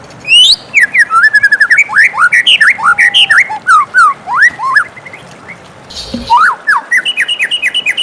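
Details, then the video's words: White-rumped shama in morning song, pouring out a rich, rapid stream of varied whistles, swooping slurs and chattering notes, briefly pausing before resuming with quick repeated phrases. "suara merdu murai batu di pagi hari"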